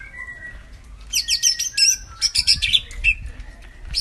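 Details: A cucak ijo mini sings to lure a silent bird into song: a soft whistle, then two seconds of rapid, bright, chattering high notes with sharp chips, ending in a short whistle.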